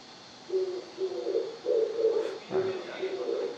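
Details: An Oriental turtle dove, a bird of the mountains also heard around a school, gives low, husky coos in a steady run of grouped, very regular phrases, with a brief murmur of room noise midway; finding: Oriental turtle dove.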